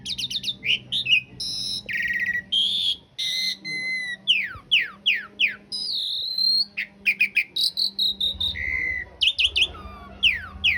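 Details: Long varied song of an Asian pied starling recorded as a master for cage birds, in rough-filling long-roll style: harsh buzzes, many quick downslurred whistles, warbled phrases, and a steady low hum throughout.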